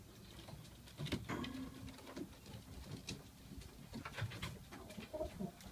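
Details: Racing pigeons, widower males in early May, three weeks into the widowhood system: a low, droning coo runs for about a second and a half near the start, with soft repeated murmurs, clicks and shuffling around it.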